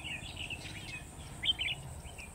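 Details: Red-whiskered bulbul decoy calling during a trapping session on 17 August 2020. Quick, bright, warbled chirps come early, and a louder cluster of sharp notes falls near the middle, over constant low-pitched outdoor noise.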